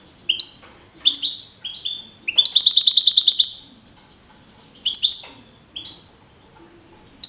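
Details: Young wild-type European goldfinch, first-place winner with 42 points at a singing contest in Navalcarnero, Madrid region, on 15 April 2012, sings high twittering phrases of rising chirps and a rapid buzzy trill near the middle, with short pauses between.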